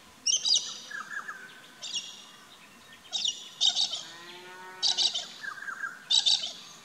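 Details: Galah (Eolophus roseicapilla) in an Australian backyard garden giving five harsh, screechy, high-pitched calls about every one and a half seconds, with fainter softer bird notes in the background.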